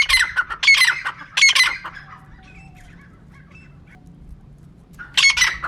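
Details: Female francolin calling, a sound used to lure birds for trapping: loud harsh squawking bursts repeated in a cluster, a quiet gap with faint tones, then another loud harsh burst.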